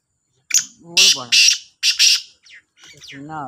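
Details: Two black francolins in a calling contest, giving harsh, grating, ratchety call bursts in quick succession, about four within two seconds, with a lower voiced sound mixed in.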